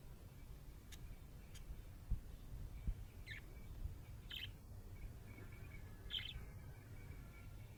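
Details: Happy budgerigar: three separate short scratchy chirps spaced one to two seconds apart, with a few faint clicks and a continuous low hum underneath.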